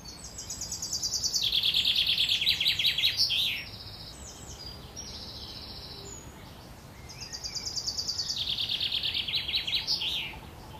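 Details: Eurasian wren nestlings being fed by their mother at a nest at Worthington Lake, Standish, Wigan. Two bursts of dense, high, buzzy begging chatter swell for about three seconds each, then stop abruptly, with a quiet gap between feeds.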